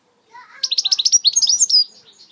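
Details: British goldfinch singing switty notes: a fast run of about fifteen bright, high twittering notes rising slightly and ending in a longer drawn note, preceded by a few soft lower chirps.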